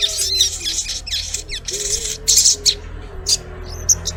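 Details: Collared kingfisher (sogok ontong), a female calling the male: harsh, rasping high bursts come in quick uneven series, some with short chattering notes, over steady low music throughout.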